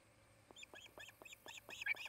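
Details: Osprey at its nest in Charlo, Montana, on 8 August 2018, filmed by a nest camera; soft, rising chirped notes repeated at a quickening pace, growing louder toward the end, over a low electrical hum.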